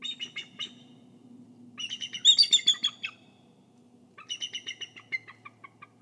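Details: Bald eagle guarding its egg at the nest in Kisatchie National Forest, picked up by a nest camera: high, thin chittering phrases in three bursts, rapid squeaky notes tumbling together over steady low background hum.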